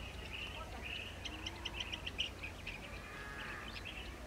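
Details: Blue-tailed bee-eater at its nest, giving a series of short, bright chirps in quick succession over a steady high hiss, with a low background rumble throughout.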